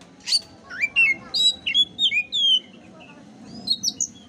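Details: Lively Oriental magpie-robin song meant to spur a listless bird into singing: sweet looping whistles and quick slurred notes in a fast run, then a short pause and a few high chirps.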